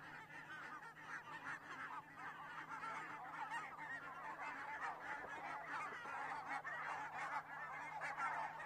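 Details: Geese at a crane-watching site in Estonia on 15 October 2017 at 8:45, a dense flock honking continuously in overlapping nasal calls that form a steady chorus with a low background hum.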